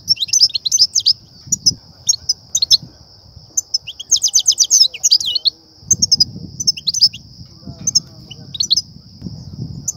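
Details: European goldfinch song used by trappers to excite and lure goldfinches: quick tinkling, twittering high notes in dense bursts over a steady high tone, with low rumbling background noise.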